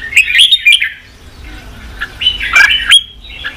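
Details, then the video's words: Red-whiskered bulbul song used to stir wild-caught birds into fighting; a burst of quick bright warbles, a quiet pause, then a louder slurred phrase ending in a clear whistle and a softer trailing note. "Kích chào mào bổi đấu, luyện chào mào sổ giọng, kích chào mào căng lửa"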